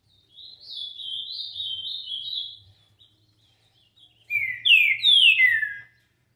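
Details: A green-winged saltator sings the doubled 'tio João' style, opening with a wavering, rapidly broken warble and closing with loud, clean whistles sliding sharply downward.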